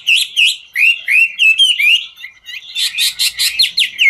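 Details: A dancing Chinese hwamei sings in the 'ngũ trường' style: sweet rising whistles and rapid warbles, then a sudden run of harsh, buzzy pulses and sharp upward-flicked notes at the close.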